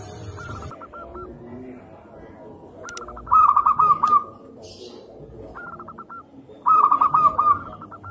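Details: Local zebra dove (perkutut) singing: two bursts of rapid, staccato cooing notes ending in a drawn-out coo, with fainter doves cooing in between and a soft background hiss.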